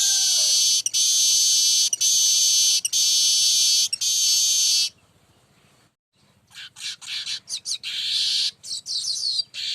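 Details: Baya weaver in a lure recording, calling nonstop: four long harsh buzzes of about a second each, separated by short breaks, then after a pause a rising chatter of chips and wheezy notes.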